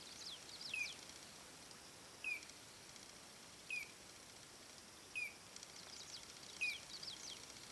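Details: Collared crescentchest giving a short, sharp, downslurred note five times, about once every one and a half seconds, with faint high twittering from other birds and steady background hiss between the calls.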